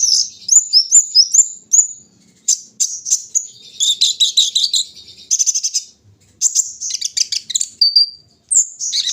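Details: A kolibri ninja sunbird put out in the morning dew sings a busy run of high chirps and buzzy trills, pausing briefly before thin whistled phrases resume.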